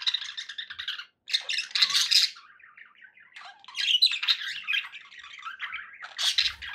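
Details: Domestic budgies indoors: bursts of harsh squawking chatter alternate with wavering whistled warbles, a short silence after the first second, loud bright chirps near the end.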